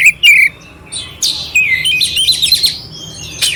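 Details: Oriental magpie-robin singing a clear song with harsh fill-in elements, played to excite a listless bird: a short whistled phrase, then softer, scratchy twittering notes climbing higher.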